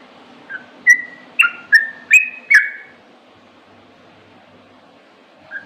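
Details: Sooty-headed bulbul singing a short phrase of five clear whistled notes, some slurred or doubled, rising slightly in pitch over two seconds, then a lone soft whistle after a pause; quiet background.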